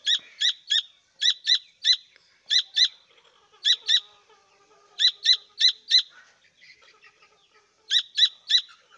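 Grey francolin chicks give high, thin peeps in quick bursts of three to five, with faint softer chatter between the bursts.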